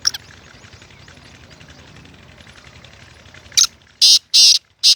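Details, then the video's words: Black francolin, a kept hobby bird, giving a loud, harsh call near the end: four grating bursts in quick succession, preceded by several seconds of quiet rustling background hiss. "Kala Teetar ki Awaz"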